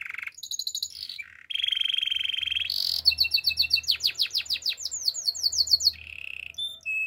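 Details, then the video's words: Gloster canary singing, aimed at teaching canaries to sing: varied buzzy rolls and a low churr, then a long string of quick sliding notes with a lower buzz beneath, ending in short rolls and whistles. "Gloster canary singing"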